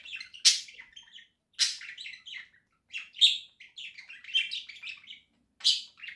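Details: Pet budgerigars from a home flock, October 2024, singing indoors: bursts of scratchy, chattering warble with sharp clicks and squeaky high notes, in five loud phrases separated by brief pauses.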